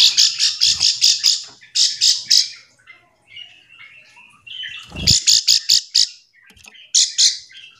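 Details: Calling bar-winged prinia, used to prompt other quiet prinias into answering; fast strings of sharp high notes, a softer trilled passage, then more rapid bursts, with one low thump.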